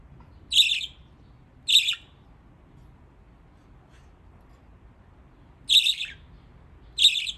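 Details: Pet budgies splashing about in water in Japan give four harsh chirps, a pair near the start and another pair after a long quiet pause.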